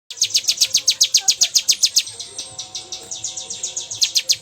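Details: Bar-winged prinia in the 'bocor' song style: a fast, even run of sharp, high chirps, about four per second, continuing through the clip with a brief dip in strength midway, with faint low tones beneath.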